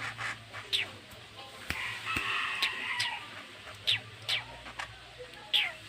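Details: Tame long-tailed shrike chick giving short, sharp, rising chirps scattered irregularly over a steady low hum, with a few clicks and faint background noise.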